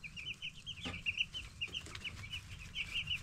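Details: A group of 10-day-old broiler chicks chirping busily, a continuous line of quick, high peeps with some brighter, louder notes, over a low background hum and a single knock.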